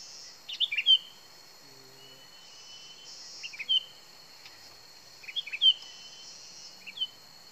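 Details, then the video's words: Sooty-headed bulbul used as a lure, giving short bubbling phrases of rapid liquid notes roughly every two seconds, with a constant high-pitched insect drone behind. "Suara Asli Kutilang Pikat"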